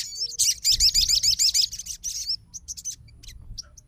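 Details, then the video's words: High, fast, rattling trill of looped squeaky notes from a fighter Crimson Sunbird reacting immediately to another sogon's energetic song, fading into a few isolated chirps. "SOGON FIGHTER LANGSUNG RESPON DENGAR SUARA SOGON GACOR"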